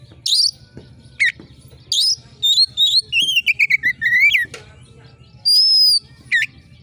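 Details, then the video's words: Oriental magpie-robin in full voice, piercing style to provoke competition birds: scratchy high notes and sharp downslurs open, then a fast descending series of whistled chips, a long high steady whistle, and a final rasping note. "suara KACER GACOR JERIT TAJAM‼️cocok mendongkrak emosi kacer di gantangan"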